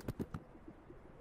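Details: Male Greater Sage-Grouse displaying at a spring dawn lek in western North American sagebrush high desert, competing for females: three deep, hollow pops in quick succession with a brief whistle on the last, then quieter low rumbles.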